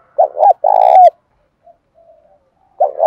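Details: Short spotted dove phrase in the 'bài bản bổi' style, for prompting a captive dove to sing: a quick double note, then a full, slightly falling coo. A new phrase begins at the end.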